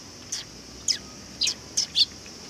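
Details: High, short chirps from sparrows visiting a Tenmangu shrine for food on 18 August 2020, five separate notes over a couple of seconds, the last pair closer together and stronger.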